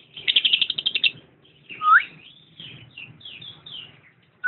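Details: Lovebird song opening with a quick run of about a dozen harsh, high chattering notes. A sharp upward-sweeping whistle follows, then a scatter of short, thin chirps and another brief whistle at the end.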